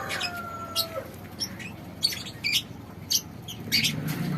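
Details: Young second-generation lovebirds, hatched as a pair and now ready to be paired, giving sharp high chirps in short bursts about twice a second, with a thin whistled tone at the start and steady background hiss.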